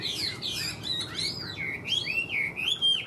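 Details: Chinese hwamei, a kept songbird of the hobby, sings strongly: loud, rich whistled phrases sweeping up and down, slurred notes and rapid warbled runs, with faint room murmur below.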